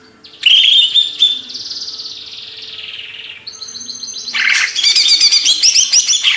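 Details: Greater green leafbird, a Banyuwangi-origin songbird from Indonesia. It gives a loud, rich, warbling song: a long, slurred whistle that falls gradually, then dense, rapid, buzzy chattering phrases high in pitch.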